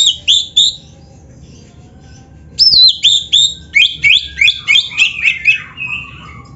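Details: Training song of a white-rumped shama, meant to be played daily to build a caged bird's fighting mentality: loud clear whistled notes in quick paired bursts, sliding up and down, with a pause midway and a soft low hum beneath.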